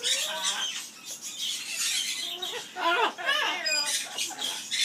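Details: Pet Amazon parrot kept at an aviary singing its "skimmeradinkadinkadink" song: a few arched, voice-like harmonic notes rising and falling around the middle, set among hissy, scratchy background noise.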